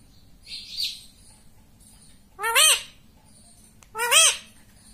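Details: Pet rose-ringed parakeet heard saying words such as 'mummy' and 'papa': a soft, breathy high note, then two loud, arching speech-like syllables about one and a half seconds apart.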